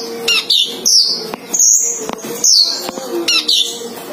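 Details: Caged male and female sunbirds kept together, calling actively: sharp, high descending chirps and squeaky notes in short bursts roughly once a second, with a faint steady low tone and clicks in the background.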